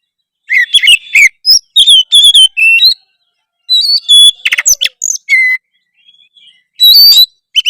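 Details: Oriental magpie-robin in full 'gacor' song, which is said to prompt other magpie-robins to answer; a rich, nearly continuous medley of piercing whistles, quick rising slurs and rattling trills, briefly pausing before a final loud burst.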